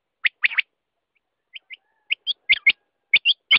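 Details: Quail give scattered sharp, high chirps, single and in quick pairs, separated by short silent gaps.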